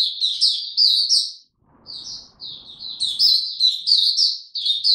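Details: Caged Oriental white-eye in ramped-up form singing, recorded 3 January 2022: rapid bursts of high, thin chirping notes strung into twittering phrases, with a brief pause midway filled by soft low rustling.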